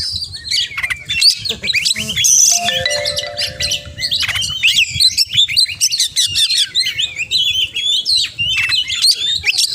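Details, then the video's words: Oriental magpie-robin delivering continuous varied song stuffed with imitations: rapid high chirps, rattling trills and sliding whistles, with a short steady lower tone partway through and faint music in the background. "Kacer Gacor Full Isian"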